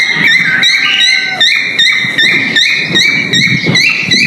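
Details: Breeding male cockatiel whistling its mating call: rapid, regularly repeated short whistled notes with upturned ends, roughly two or three per second, over a sustained tone, with faint low background noise.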